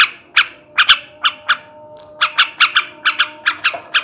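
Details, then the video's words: Sooty-headed bulbul male, song used to raise breeding condition; short harsh squawky notes given singly and in pairs with brief pauses, a faint steady hum underneath. "kicau suara burung trucukan jantan ngebrem ngekek garuda ini ampuh menaikkan birahi trucukan bahan"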